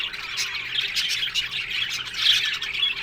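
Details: Australian budgerigars in an aviary colony, a dense continuous chatter of many overlapping high, scratchy chirps and squawks with no pauses.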